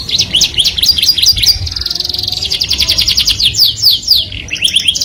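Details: Melodious canary song that attracts the opposite sex: quick chirps give way to a long, fast buzzy roll of repeated notes, then more rapid trills and sweeping whistles, loud and continuous.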